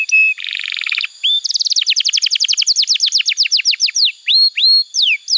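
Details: Canary song for training young canaries and for therapy of birds that will not sing: a short flat whistle and a buzzy roll, then a quick series of downslurred notes that slows into spaced rising and falling whistles.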